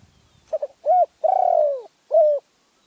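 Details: Single song phrase of a Spotted dove from Phrae, Thailand: two or three faint stutters, a short coo, a long buzzy coo sloping downward, then a clipped last coo.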